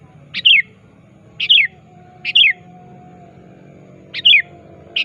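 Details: Active sooty-headed bulbul calling a rival, recorded as a lure. Short, sharp chirped phrases repeated roughly once a second, five in all, over a steady low hum.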